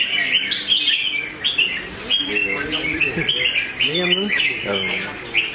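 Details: Combative competition red-whiskered bulbul sings quick, sliding whistled phrases, while a man's voice talks clearly in the background.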